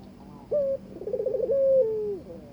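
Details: A single mating coo from a Barbary dove courting its new mate: a brief flat note, a pulsing tremolo and a long sliding descent, against quiet background hum.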